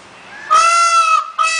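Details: Peafowl letting out a loud, nasal, trumpet-like wail held steady for most of a second, then a second shorter blast, strongly harmonic, rising sharply out of a quiet background.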